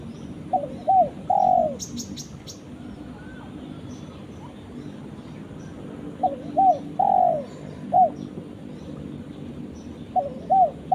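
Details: Spotted dove calling its companion, repeating a phrase of two short coos and a longer falling croo about every five seconds, with a brief burst of clicking early on and faint distant bird chirps.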